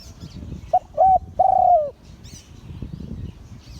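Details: Liu Tan style crowing of a spotted dove: one brief coo, a second short coo, then a long, smooth, downslurred note, over quiet low background noise.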